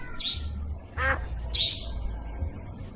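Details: Nightjar lure recording of the forest nightjar (cabak hutan), used for trapping by day or night: two harsh, buzzy, upward-sweeping high squeals about a second apart, a lower rasping harmonic note between them, steady low hum throughout.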